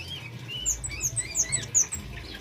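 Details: Male orange-headed thrush singing, used as a lure for training: rapid high whistled and chirping notes, sliding phrases repeated quickly over a steady low hum.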